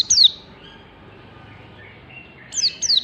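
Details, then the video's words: Oriental white-eye in a morning recording gives three thin, very high, quickly falling notes: one at the start, then two close together near the end, over a faint hiss. "Masteran pleci pagi hari"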